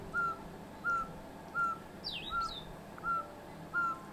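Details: A Yungas Pygmy-Owl in the Manu valley, southern Peru, gives a steady series of six short, mid-pitched whistled toots, one about every two-thirds of a second; another bird adds a brief sharp chirp midway.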